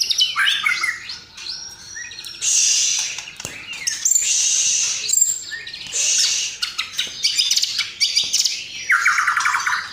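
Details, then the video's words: White-rumped shama singing continuously with fill-ins of house sparrow, lovebird and sooty-headed bulbul; varied whistles alternate with long, harsh high chattering passages, ending in a loud, buzzy lower rattle. "Masteran Murai Batu Gacor Isian Gereja Tarung Love bird Kapas Tembak"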